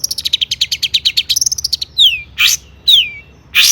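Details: Long-tailed shrike song full of mimicked fill-ins, played to provoke other shrikes into singing: a fast run of high clicking chips, then loud descending whistled slurs alternating with harsh broadband bursts.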